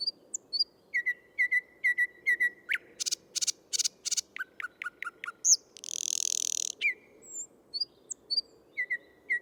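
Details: Singing male thrush nightingale in a Moscow park, Tsaritsyno, on 12 May 2022: repeated low whistled notes, a run of loud percussive clacks, a drawn-out harsh buzzing rattle, then renewed whistles and chirps.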